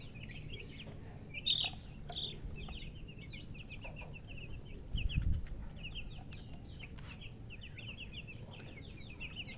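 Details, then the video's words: Chicken chirping with a hen: dense runs of quick, high-pitched peeps in bursts with short pauses, a louder sharp cheep near the start, and two low thumps among a low background hum. "silly chicken chirping sounds with murgi hen color chicken"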